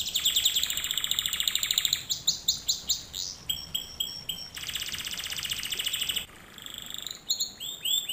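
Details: Canary song recorded as a lesson for canaries to learn from: bright, high-pitched rapid trills and rolling tours that switch between fast buzzy runs, clipped repeated notes and sweeping upward whistles, sung continuously without pause.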